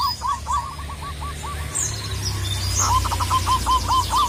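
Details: Local Indonesian zebra dove (perkutut lokal), sung as a lure calling rivals: fast runs of short hooked cooing notes, a pause, then a second brighter run, over a steady low hum with faint chirps above.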